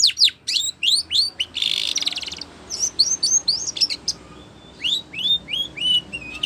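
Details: A Spanish Timbrado canary sings a training song: clipped, falling whistles, a short buzzy roll, then spaced, rising liquid notes repeated at a slower pace.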